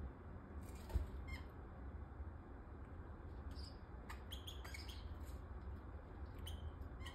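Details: Aqua Blue splendid parakeet pair in an aviary, preparing for nesting: short, high, sharp chirps come scattered through the second half, some in quick clusters, over a steady low mechanical hum.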